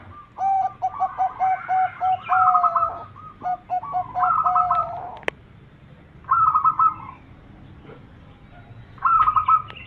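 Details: Zebra dove song, a champion bird's lure call for attracting other birds: a run of short, evenly spaced cooing notes, then several higher, quick rolling trills repeated in bursts with pauses between.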